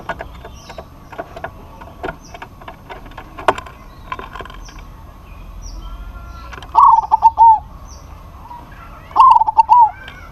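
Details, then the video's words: Local zebra dove calling a rival: scattered clicks and faint bird chirps for the first half, then two clear bubbling coo phrases near the end, each a rapid stutter trailing into a longer note. "PERKUTUT LOKAL GACOR MEMANGGIL LAWAN PASTI NYAUT"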